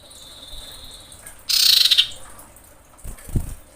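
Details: Female common iora calling a male while breeding: a faint thin steady whistle leading into a loud harsh buzzing rattle of about half a second, then low knocks.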